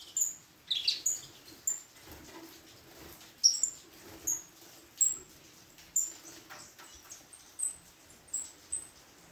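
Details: Saffron finch singing at a singing competition gala: short, sharp, very high whistled notes, some with a quick downward slur, given singly or in quick pairs every half-second to second, over a faint steady background hum.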